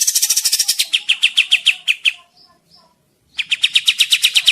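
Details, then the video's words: Kapas tembak bird in full, lively song, used as a lure for trapping in the forest: rapid high chips, then a brief silence, then another quick run of sharp repeated notes. "suara pikat kapas tembak gacor"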